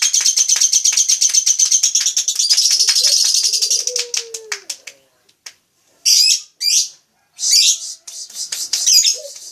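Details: Lovebird opening with a rapid, buzzy trill of clicking pulses, then several loud, sharp, shrill chirps.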